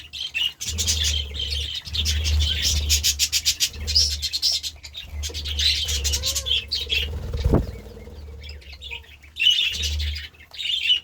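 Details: Budgerigars in a feeding frenzy on vegetables give a continuous stream of buzzy, rapid chirps and chatter, with pauses and a low fluttering hum beneath.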